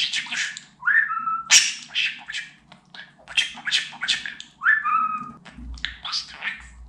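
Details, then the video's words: Pet talking budgerigar, kept to mimic words such as Turkish "Babacık", "Aşkım" and "Cici kuş". High, raspy speech-like chatter bursts with two clear rising-then-level whistles in between, against a faint low hum. "Babacık Aşkım Cici kuş Demeyen Konuşmayan Muhabbet Kuşu kalmasın"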